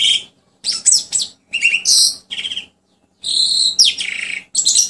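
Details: Asian pied starling song, offered as a lure and therapy for birds that rarely sing: loud bursts of harsh, buzzy notes mixed with clear whistles, delivered in phrases separated by short silences, with a faint steady low hum underneath.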